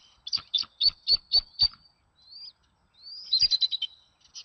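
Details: Bald eagle at its nest in Sidney on April 26, where the mother arrives with greenery and feeds an eaglet. Six sharp, high piping notes come in quick succession, followed by a thin slurred whistle and a rapid chittering run.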